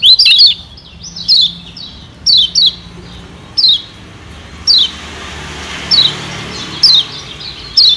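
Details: Kecial kuning, Lombok white-eye, as a lure for wild birds: opens with a tangled burst of overlapping high chirps, then steady thin descending whistles, single or doubled, roughly every second.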